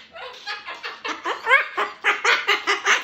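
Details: Two pet cockatoos duet before bed, trading rapid, raspy, cackling notes about three a second in a laugh-like run lasting several seconds, with no other sounds.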